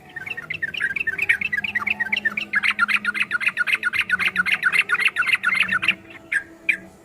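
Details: Yellow-vented bulbul in a long, rapid 'ropel' style song used as training material for cage birds: dense bubbly chatter of short notes, thickening after about two and a half seconds into a fast, near-continuous burst, then a few scattered notes.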